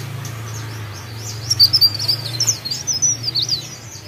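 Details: A mountain leaf warbler sings a quick series of high, thin, wavering whistled notes after a moment of quiet, over a steady low hum.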